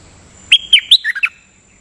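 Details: Nok dok taeng songbird, decoy recording, frequently doubling its phrases: three high ringing notes followed by two lower slurred chirps, all within under a second, little background sound.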